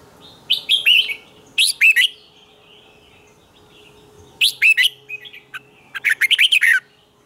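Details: Morning song of a red-whiskered bulbul, played as a decoy voice for training birds, twisted double-note style: four clusters of quick liquid chirps and warbles, each under a second, spaced by pauses, over a low steady tone.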